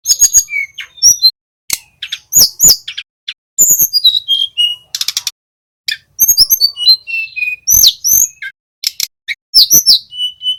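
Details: Little pied flycatcher, a young male practising its trill, used as a training lure for cage birds; rapid high chips, thin whistles and stuttering buzzy bursts, broken by sudden clean gaps.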